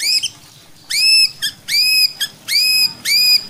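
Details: White-rumped shama singing to provoke other shamas into aggressive song: loud, pure, arched whistles rich in overtones, each about a third of a second long, repeated with short gaps and small clipped notes between.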